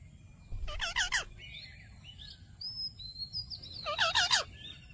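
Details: Ringneck parrot uttering "Mitthu Mitthu": two compact bursts of three quick voiced syllables each, several seconds apart, with soft whistled chirps and quiet background noise between.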